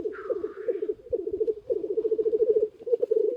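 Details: At a spring lek near a hide, many black grouse cocks open with one brief hiss, then keep up a steady, pulsing, bubbling coo that swells and dips in waves.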